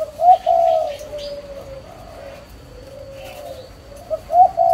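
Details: Spotted dove (chim cu) parent birds recorded on 11 June 2023: a low, mellow cooing phrase opens the clip and another returns near the end, with a quieter hum of coos between and a faint steady high tone behind.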